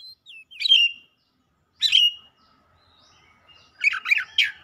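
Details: Oriental magpie-robin warming up into heated song and showing its fill-in repertoire. Short scattered whistles and buzzy notes come after silent gaps. A dense cluster of harsh chattering notes closes the passage, with faint low hum underneath.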